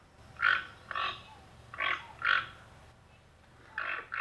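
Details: Toco toucan (Ramphastos toco) gives deep, grunting croaks, short harsh notes repeated about every half second in loose pairs, pig-like; a croaking toucan, unlike the yelping Amazonian species.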